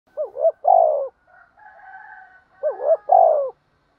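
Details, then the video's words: Spotted dove cooing to provoke fighting and to call: two phrases about 2.5 seconds apart. Each has a quick double-noted, wavering coo and then a longer, louder, falling coo. A faint soft whistling tone sounds between them. "cu gáy thúc đấu & gáy gọi"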